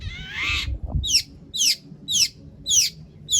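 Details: Long-tailed shrike in full song with mimicked material, played to stir other shrikes to sing: a harsh rasping squawk opens, then five sharp descending notes repeat roughly every half second.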